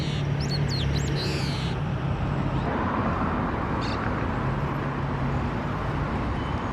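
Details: Long-tailed meadowlark in countryside fields on the edge of Santiago, Chile, facing the snowy Sierra de Ramón in winter: a short burst of high, sliding whistled notes, then steady low wind and traffic-like rumble.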